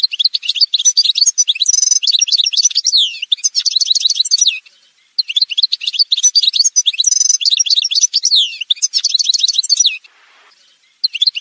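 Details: Long, unbroken outpouring of Algerian goldfinch song, parva form: rapid liquid twitters, sweeping whistled slurs and a nasal buzzy trill, running about four seconds at a time with a brief pause between runs.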